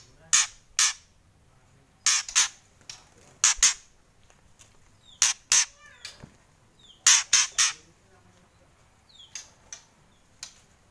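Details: White-rumped shama giving loud kretekan calls: sharp, dry clicking bursts, mostly in pairs or triplets, repeated at irregular intervals of one to two seconds, with faint thin notes between them and a quiet background.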